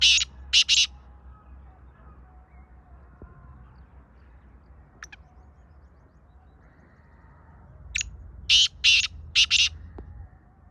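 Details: Black francolin, known locally as kala teetar, gives two harsh grating phrases: three buzzy rasping bursts at the start, then after a quiet stretch a thin short note followed by four loud scratchy bursts near the end. Faint low rumble underneath.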